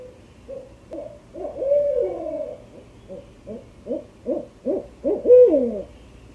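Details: Barred owl hooting at 3am in Roland Park, Baltimore, Maryland: a rhythmic run of deep, throaty notes, several ending in long, downward-sliding slurs, over about six seconds, with a faint low hum underneath.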